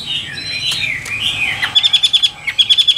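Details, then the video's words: Caged Chinese hwamei of the Tam Hoàng type: a gliding warbled phrase, then two rapid series of short, evenly spaced ringing notes, about six each. "Họa Mi Tam Hoàng Miệng Mỏ Như Máy Khâu, Điện Đóm Căng Hót Hét Bài Bản"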